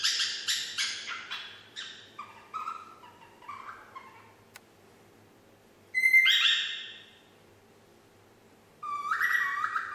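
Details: Young female pet parrot, nine months old, practising whistling the tune Yankee Doodle; a quick run of descending harmonic chirps and notes, a pause, then two loud, drawn-out, rich whistles with rising bright tones.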